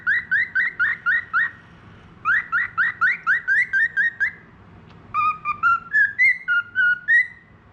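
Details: Clever, tame budgerigar known as a keen whistler delivers rapid bursts of clear whistled notes, two fast trills of repeated slurs, then slower alternating high and low tones like a learned tune.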